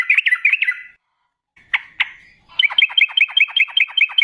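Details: Sooty-headed bulbul singing as a lure to prompt replies: a short bubbly phrase, two sharp isolated notes, then a fast even series of downward-slurred chirps repeated about six times a second.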